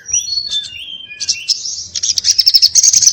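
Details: Sogon, the little spiderhunter, calling in 'ngobra' fighting style: thin separated whistles and gliding slurs at first, building into a fast, shrill, continuous chatter that grows louder toward the end.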